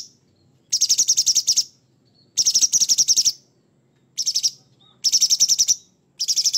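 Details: Rough 'materi kasar' material from a lively Sooty-headed bulbul: five sharp, high, grating bursts of fast even pulses, each under a second, repeated at roughly one-and-a-half-second intervals over a quiet background.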